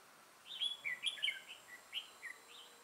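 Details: Red-whiskered bulbul with a 'mào lân' crest and dark bib, used as a trapping decoy, 6 November 2018. A lively run of liquid, swooping whistled notes, each sliding downward, delivered in under three seconds.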